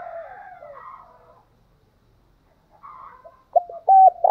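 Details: Spotted dove calls meant to provoke singing: faint, soft cooing at first, then after a quiet pause a loud burst of short, level, hollow coo notes at the end.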